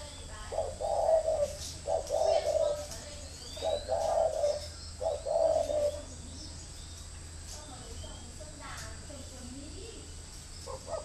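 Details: Spotted dove decoy bird calls in a burst of four hoarse cooing phrases over about six seconds, then falls quiet. Faint chirps and a low hum remain.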